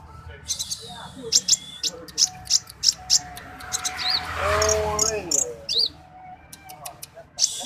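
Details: Orange-headed thrush, in a song style called dacok, gives sharp high chirps and short whistled notes about three times a second, with a lower slurred phrase near the middle; a man talks over part of it.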